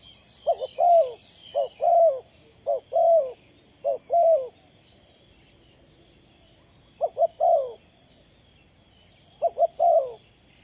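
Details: Ground-decoy spotted dove for catching wild doves, 20 April 2020, calling in bursts: four quick phrases of two short coos and a longer croo, a pause, then two more phrases, with a faint steady high hum.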